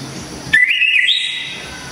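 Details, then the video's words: Orange-headed thrush, called anis kembang in Java, delivering a loud, sharp, clear song phrase: one bright whistled strand that starts with an abrupt note, wavers, then steps up higher and holds for about a second, over quiet low background hum. "ANIS KEMBANG‼️SANG Legenda TANAH JAWA ‼️TEMBAKAN KERAAS‼️DERRR DOR MANTAP JIWA‼️"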